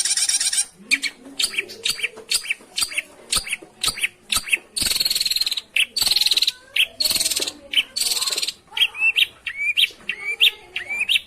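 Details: Long-tailed shrike lure recording meant to get a silent shrike singing: a busy, varied stream of sharp chirps, buzzy bursts and short rising whistles, delivered in rapid bursts with brief pauses.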